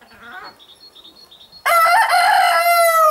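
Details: A Red-Saddled Yokohama rooster, kept with his hens in Holland, crows: a loud, harsh, drawn-out cry that rises briefly and then holds steady, after a quiet start with faint thin peeps.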